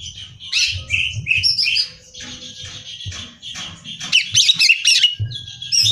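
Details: Greater green leafbird in energetic song used as training material for song competitions: dense run of whistles, chatters and rapid trills high in pitch, with short pauses and a burst of sharp notes near the end.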